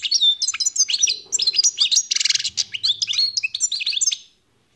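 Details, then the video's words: European goldfinch, wild-caught, gives a fast tinkling twitter of high chirps with one harsh buzzy note in the middle, then falls silent. "تغريد طائر الحسون"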